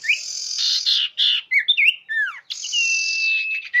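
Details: Clear, loud common iora lure call. Broad buzzy rasps mix with short twisting whistles and a falling slur, then a long, steady, high whistle ends in a quick drop.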